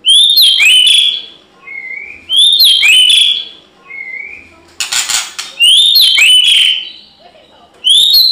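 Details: White-rumped shama singing in fighting spirit, repeating a loud rising whistled phrase with sharp upslurred notes about every two seconds, each followed by a soft lower whistle; one burst of clattering noise midway.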